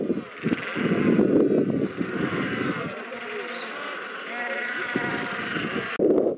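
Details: Royal penguins on sub-Antarctic Macquarie Island. A loud, rapid, throbbing bray fills the first few seconds, then fades to a softer murmur with drawn-out cries, before another harsh burst at the end.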